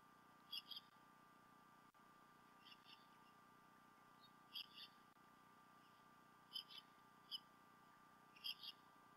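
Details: Bald eagle male and female at the Decorah North nest, 28 February 2016, late morning into early afternoon, fish brought by the male; repeated bursts of thin, high, doubled chirps every one to two seconds against a constant hum.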